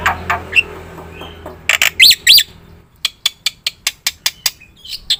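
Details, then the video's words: Black-winged myna singing as a lure: soft chatter, two loud arching whistled squawks, then a quick sequence of short sharp clicks and chirps. "suara top jalak putih gacor"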